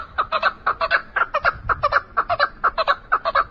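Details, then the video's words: An Iranian chukar partridge gives a rapid run of harsh, clucking chuck notes in pairs and triplets, about two per second, with nothing else heard. "İran kekligi keklik sesi KINALI KEKLİK"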